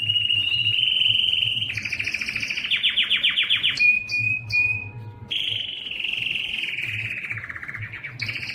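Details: Yellow canary song with wavering whistles, a buzzy trill, a pure sustained note with short high pips, then long warbled trilling.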